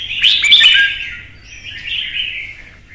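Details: Kept red-whiskered bulbul in Vietnam, singing duel: an opening tangle of loud, chattering warbles with clicks, trailing into a softer, drawn-out slurred whistle that fades.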